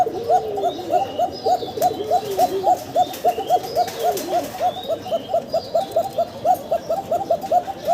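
Many domestic pigeons coo at once, soft throaty rolling notes repeated without a break.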